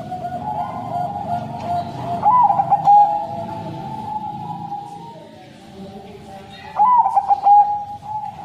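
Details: Zebra dove of the Bangkok type, a crossing bird, whose long, plaintive song is used as a lure for caged doves. Two rolling, trilled coo phrases, each about a second long, sound over a steady humming drone and low background rumble.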